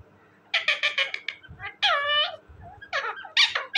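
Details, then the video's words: A talking parrot giving bursts of harsh, speech-like syllables in quick clusters, then a longer drawn-out nasal call and more clipped, squeaky notes, indoors with light background knocks. "my amazing and cute talking parrot,parrot sound"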